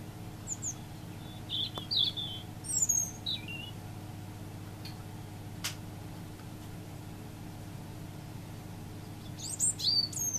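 A robin sings thin, high, warbling phrases, each under a second, separated by pauses of a second or more. A low steady hum runs underneath.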